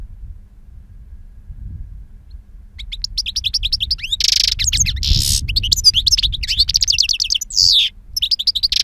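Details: Two-year-old European goldfinch singing its prized wild song, praised for strong timbre and long calls: after a quiet start, rapid liquid twitters and buzzy rasping bursts run continuously for six seconds over faint low background rumble.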